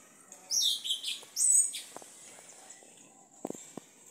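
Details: Sabiá-preto singing in a house backyard at Itaqui, Guaraqueçaba, Brazil: two loud, high, rapid whistled phrases in quick succession, then a quiet stretch with a few faint low clicks and knocks.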